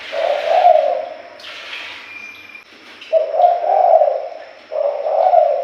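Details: Spotted dove calls used as a lure to attract birds: low hollow cooing phrases, each note drawn out, given in groups separated by short pauses, clear and close with little background.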